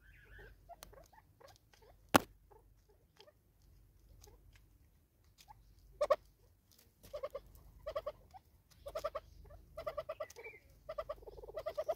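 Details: A Natal spurfowl (Pternistis natalensis) in South Africa gives its raucous call, harsh grating cackles in quick bursts that grow louder and more frequent toward the end; a sharp click sounds early on.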